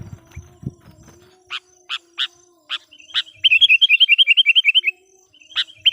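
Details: Sooty-headed bulbul decoy bird, singing actively to lure wild bulbuls: several short sharp chips, then a fast run of about a dozen clipped notes, with a faint low hum early on.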